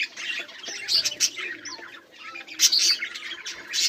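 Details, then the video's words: Budgies chirping on 18 July 2023: overlapping high twitters and squeaky calls arrive in bursts, dipping briefly quieter before another lively round of scratchy chatter resumes. "budgies beautiful sounds and chiriping"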